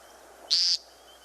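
American Woodcock giving one brief, high, thin chirp that lasts about a quarter second over a quiet background.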